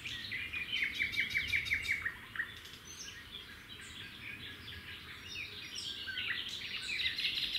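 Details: Red-backed shrike pair at their nest beside a road, the male handing over a grasshopper for the female to feed the young; a quick series of bright downslurred chirps opens, followed by scattered high twitters.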